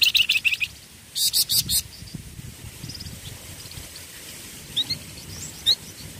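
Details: Ombyokan singing from a flamboyan songbird: a quick string of shrill chirps, a short pause, then four loud clipped notes in a row, followed by scattered faint tweets over low background noise.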